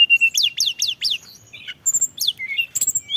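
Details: Brief burst of tledekan gunung lure song: a flat whistle, then several fast descending sweeps, followed by scattered high chirps and short whistled notes.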